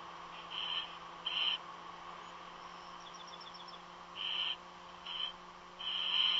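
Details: Strange nest calls from a bird said not to be an eagle: spaced raspy hissing bursts, a quiet gap holding a soft rapid chirping run, then louder screeches at the end.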